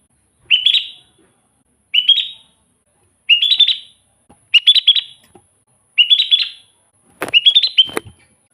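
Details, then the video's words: Sooty-headed bulbul singing to lure wild bulbuls: six short, rising, bubbly whistled phrases about every one and a half seconds, the last overlaid by a couple of sharp clicks. "suara burung kutilang gacor full buat pancingan kutilang pikat"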